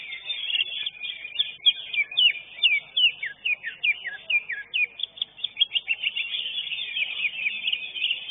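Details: Greater green leafbird singing at a bird-singing contest, third-place winner: a dense run of quick, sharply down-slurred whistled notes, repeated rapidly and overlapping with other birds singing alongside in the arena.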